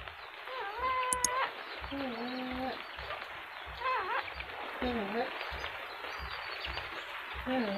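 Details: Cockatoo talking: a series of clear, tonal speech-like phrases, some rising then falling, spaced about once a second, over a steady background hiss with soft low thumps.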